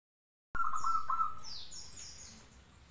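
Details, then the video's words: Local zebra dove singing actively: after a moment of silence, a single low, trilled coo holds steady and then fades out, with a faint high hiss overhead. "perkutut gacor lokal"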